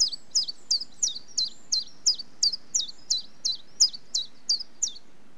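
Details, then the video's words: Common chiffchaff singing a steady string of sharp, high notes, each one a quick downward slur, delivered almost three per second with only slight shifts in pitch between notes, over faint low background hiss. "Chiffchaff Bird Call - Bird Song"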